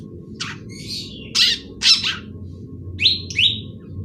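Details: Young long-tailed shrike trying out its song: a few harsh, grating bursts followed by two clearer, slurred whistled notes near the end, over a quiet low hum.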